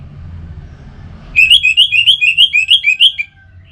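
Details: Orange-headed thrush from North Bali, Singaraja, kept as a cage bird, singing a quick run of about a dozen sharp whistled notes, each rising then falling, delivered at a steady clip after a low background rumble.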